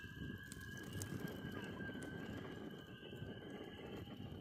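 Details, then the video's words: Loons calling in Vermont beside a crackling campfire: sustained, level, pure-toned wails held throughout, partly masked by the constant dense crackling of the fire. "loons singing in vermont with crackling fire"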